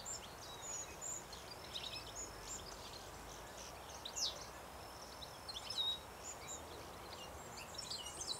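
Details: Silvereye, part of at least a small group, in an overgrown field of tall grasses, weeds, bushes and trees in agricultural Richmond Lowlands, NSW, early September 2017, gives thin, high chirps and sharp tsee notes in scattered bursts over a steady background hiss.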